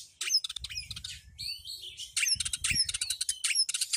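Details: Home-kept Oriental magpie-robin delivering a fast, energetic song: sharp chattering notes and rapid trills alternating with rising and falling whistled phrases, over a faint low rumble.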